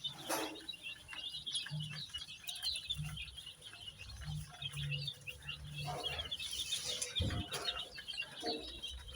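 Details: Baby chicks coloured in red, yellow, green, pink, purple, orange and white, chirping in a high, continuous chorus, interrupted by low thumps and bumps and a background hum.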